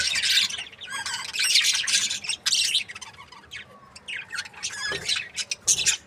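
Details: Budgerigar breeding pairs give a rapid flow of scratchy, high chirps and warbling squawks. The bursts come in close succession, separated by brief pauses, with several birds overlapping.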